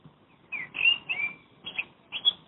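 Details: Blackbird living near a house in Madrid, heard from a window, delivering short mellow whistled phrases, a softer opening note followed by richer warbled notes and two brief rising flourishes after a pause.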